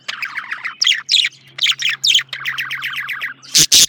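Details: Rapid, rhythmic chirps from a male budgerigar, evenly spaced buzzy notes running in a steady series, ending with two loud harsh clicks; a faint low hum persists.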